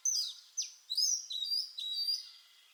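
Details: Oriental magpie-robin (Copsychus saularis) song phrase: a sharp high whistle, a downward swoop, then sustained clear tonal notes with slight warbling, all in under three seconds.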